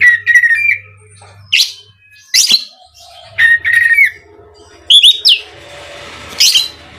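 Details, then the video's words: Oriental magpie-robin song used as a lure to provoke other magpie-robins: short whistled phrases near mid pitch alternating with sharp high buzzy notes, in bursts about every second, with a faint low hum between. "SUARA BURUNG KACER INI AMPUH UNTUK PANCINGAN KACER AGAR CEPAT KONSLET DAN NGEPLONG‼️"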